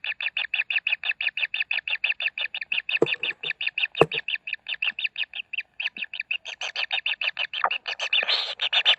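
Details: Common kingfisher chicks at the nest during feeding repeat quick, raspy high pulses at a fast, even pace, punctuated by a couple of sharp knocks, growing rougher and more jumbled at the end.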